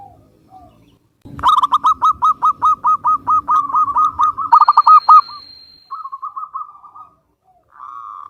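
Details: Zebra dove of the local Javanese type, recorded in Cilacap, Central Java, giving a long run of evenly spaced short coos with a louder fast burst. A steady thin high tone and low rumble are heard early on.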